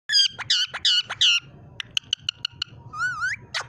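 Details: Pet green parrot, trained by its owner's mother, saying "mian mithu Allah ho": a run of loud, harmonic, voice-like syllables, then short clipped notes, a wavering rising tone and a final shrill squawk.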